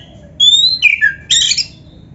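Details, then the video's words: White-rumped shama song for training other birds: a pure high whistle, a lower falling whistled note, then a short harsh scratchy burst. "SUARA BURUNG KACER MASTERAN"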